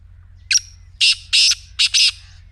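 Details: Black francolin call phrase: a short scratchy opening note, then four loud, broad, rasping bursts in two pairs, over a soft low hum.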